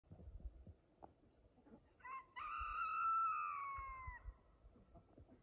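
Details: Homestead rooster in the Blue Ridge Mountains of Appalachia giving a single long, strained crow that sounds like a screaming child, a sustained, slightly falling, wavering note lasting about two seconds, with soft rustling before and after.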